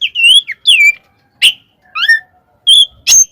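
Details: Provocative fighting song of an Oriental magpie-robin: clear slurred whistles, some rising and some falling, alternating with brief harsh buzzes, each phrase spaced by short silences.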